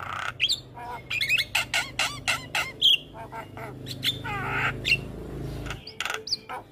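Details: Rapid run of sharp clicks and harsh squawks from a young black-winged starling, broken by brief high whistles and a rattling chatter. A tutoring song packed with fill notes, set over a steady low background drone.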